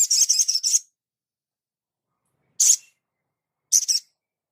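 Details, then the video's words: Crimson sunbird master recording for training cage birds: a quick burst of several rapid, buzzy high notes, then after a long pause one piercing note and a short stuttering pair, clean and free of background noise. "Dasyatnya MASTERAN INI ‼️SOGON LANGSUNG NGLEPER ‼️"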